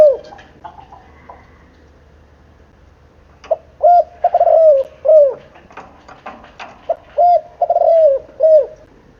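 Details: Seven-month-old spotted dove cooing: after a quiet start, low hollow coos come in grouped phrases, two short notes then a longer wavering coo ending in a falling note. The phrase repeats twice, with faint chirps in the background.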